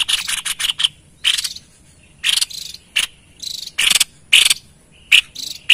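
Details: White-chested babbler calling actively for luring wild birds: a quick stutter of clipped notes opens, followed by spaced harsh buzzy bursts and sharp bright chips toward the end.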